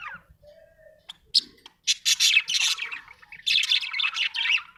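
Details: Happy budgerigar chirping: scratchy, buzzy warbled chatter in quick bursts after a quiet start with a brief low whistle, growing denser and louder toward the end.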